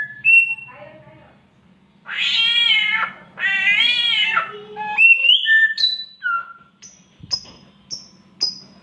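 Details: Samyong (myna) copying a cat in mating season: scattered whistles, then two long, wavering, harmonic meows, followed by a string of rising whistles and short sharp high chips.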